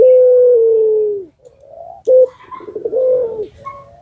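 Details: Puter pelung dove, a lure bird meant to prompt other doves to answer, gives a long low drawn-out coo that slowly falls, then a short clipped note and a rolling, burbling phrase ending in another sustained coo.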